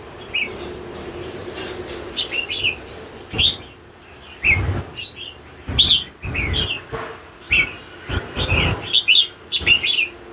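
A red-whiskered bulbul sings short, bubbly whistled phrases, repeated every second or so.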